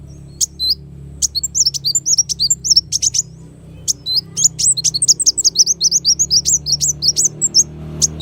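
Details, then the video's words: Kolibri wulung sunbird, recorded as a master song for training songbirds: thin, high, rapid chirps and twisting whistled notes in dense bursts, with a short pause midway and a faint low hum beneath. "suara burung kolibri wulung sangat cocok buat masteran"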